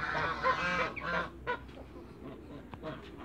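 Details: Hybrid Canada × African geese, four birds, meeting on a farm: a loud, nasal honk held for nearly a second, then shorter honks and softer clucking notes fading into background noise.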